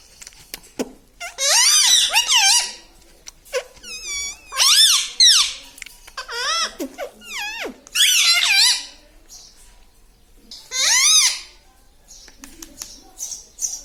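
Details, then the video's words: A pet talking parrot indoors in a small room, said to say "Papa Mummy" and "Mitthu Mitthu". Bursts of nasal, wavering, harmonic chattering phrases arrive every few seconds, separated by quiet gaps. "Papa Mummy Bolne Wala Tota - Talking Parrot"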